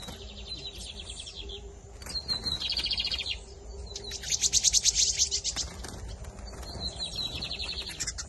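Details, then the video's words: Double-collared seedeater singing in the camelão versus torneiro style during the 2023 season, delivering repeated high rapid trills and buzzy chattered phrases, the loudest a dense trill near mid-song, with faint low hum behind. "Bigodinho Camelão x Torneiro"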